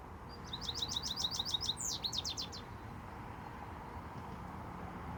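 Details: Close handheld recording of a male American goldfinch singing in Iowa: a fast series of high, evenly repeated chirps, then a brief downward slur and a few more quick notes, followed by quiet background hiss.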